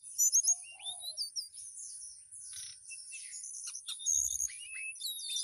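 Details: Mountain tailorbird kept in a cage in Purworejo, Central Java, fluting to call a female: clear high whistles sliding up and down in quick phrases, a brief low warble, and a steady high-pitched hiss throughout.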